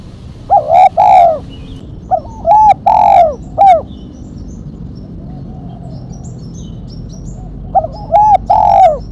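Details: Spotted dove in the sharp 'mercik kuk 1' calling style. It gives bursts of rounded mid-pitched coos, each opened by crisp clicking accents, in three separated phrases with quiet pauses between.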